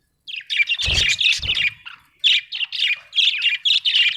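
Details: Chirping budgerigar, an Australian bird, giving rapid scratchy warbles and chattering notes in quick bursts, a short pause midway, with a couple of low thumps early on.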